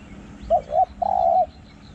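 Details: Spotted dove from Thai decoy-calling practice, voice described as small and booming through the forest: two short hollow coos followed by a long level coo, single phrase, faint hum behind.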